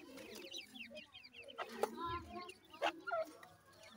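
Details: Feeding grey francolin chicks make scattered thin peeps and short chirps, a few brief clear whistled notes standing out among quieter chatter, with a low muffled thump near the middle.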